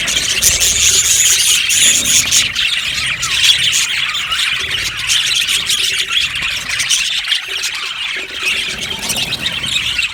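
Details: Steady chorus of budgerigars in an aviary, many birds giving quick high chirps and harsh squawks in an unbroken stream.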